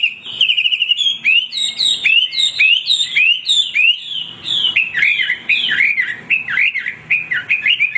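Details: Hwamei singing tirelessly, sharp downslurred whistles and quick chattering phrases repeated in fast succession, loud and varied, ending in rapid clipped notes.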